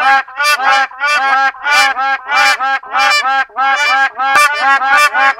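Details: Honking calls of the black crowned crane (West African crowned crane): harsh, nasal, goose-like notes rich in harmonics, delivered in rapid overlapping bursts with brief pauses, roughly one to two notes per second.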